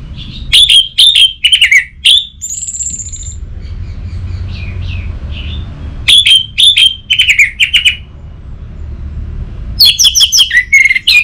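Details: Orange-headed thrush lure song for stirring a stalled caged thrush: three bursts of loud whistled and warbled phrases separated by pauses of several seconds, over a low hum.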